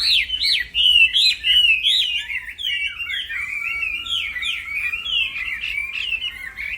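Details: Black-throated laughingthrush delivering an unbroken training song: fast, sweeping whistled phrases tumbling up and down in a continuous, energetic stream with no gaps.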